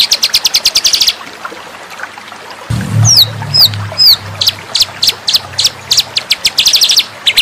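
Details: White-rumped shama, locally murai batu, singing as a master recording for training cage birds: fast series of high, bright notes, then looping downslurred whistles and rapid chattering phrases, over a low rumbling background from the third second.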